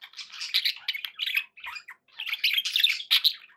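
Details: Several pet budgerigars chattering in a dense, warbling stream of short chirps and scratchy notes, broken by a brief pause near the middle before the busy twittering resumes.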